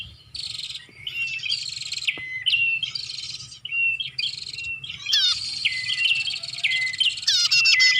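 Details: Bar-winged prinia (prenjak) lure recording meant to attract birds: separate buzzy phrases at first, then denser overlapping chatter with sharp descending notes near the end.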